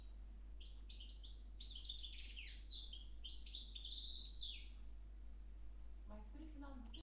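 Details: Goldfinch x Timbrado canary hybrid mule, recorded 10 February 2011, singing a rapid twittering phrase of buzzy, tumbling high notes for about four seconds, then a pause and a brief start of the next phrase.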